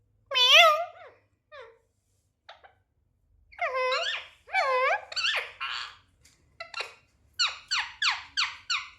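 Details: Pet Indian ringneck parakeet kept indoors: a loud harsh screech, then scattered squeaks and a run of raspy, wavering chirps, ending in a series of short sharp calls about every half second.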